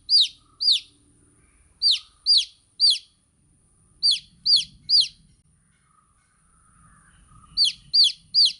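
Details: Chicks chirping in clusters of two or three high, downward-sweeping peeps with quiet pauses between clusters and faint low background noise.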